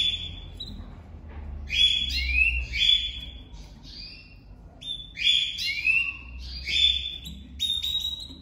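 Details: Domestic canary male and female on their first day together for breeding, the female already crouching for him; loud flat whistled notes mixed with rising chirps in two bursts, plus a low room hum.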